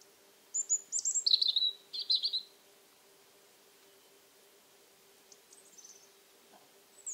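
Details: European Robin singing on a warm, humid mid-October evening in 2014 at an old Alentejo house among cork oaks, as if spring were beginning: high thin trilled phrases dropping in pitch, then a long pause and faint distant notes.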